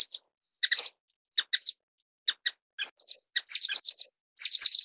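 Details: High, sharp chips from an orange-cheeked waxbill (Estrilda melpoda), sparse at first, then quickening into rapid twittering bursts.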